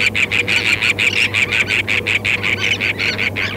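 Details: Many terns call together from a sandspit at Murrell's Inlet, South Carolina, 8 April 2017, taken through a parabola: loud rasping calls pulse almost three times a second in a fairly steady rhythm, with a faint low hum underneath.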